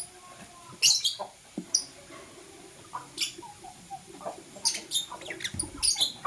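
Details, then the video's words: Blue and green lovebirds in the morning, giving sharp, shrill chirps in short clusters with quiet gaps between, a denser burst of several chirps near the end; faint indoor background. "True Love Blue LoveBird - Green LoveBird Chirping Sound"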